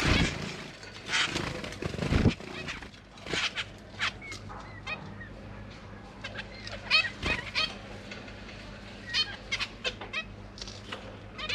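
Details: Zebra finch parents feeding their babies in a cage, three juveniles and three new hatchlings, recorded with a GoPro Hero 8: many short nasal chirps, dense at first then spaced every second or so, over faint hum.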